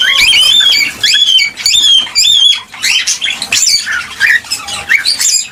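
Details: Cockatiel singing, a sound meant to encourage pairs to mate and breed: a series of clear whistled phrases, each a brief rising note then a level tone, repeated about every half second, then choppier chirps near the end.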